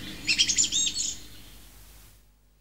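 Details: A British song thrush sings one quick, bright phrase, a high note repeated about four times within a second, over a faint low outdoor hum.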